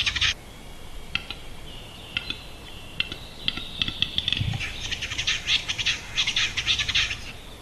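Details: Western capercaillie (Tetrao urogallus), lek song: courtship display at the lek.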